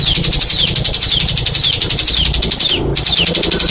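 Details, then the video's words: Songbird giving a "shooting" style song: a loud, continuous high-pitched stream of rapid trills with repeated descending sweeps, a brief break near the end, over steady low background hum. "Burung cigun suara nembak bikin merinding"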